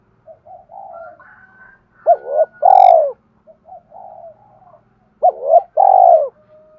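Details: Spotted dove cooing, played to train decoy birds: soft low coos alternate with two loud phrases, each a rising double note and a long falling coo, about three seconds apart.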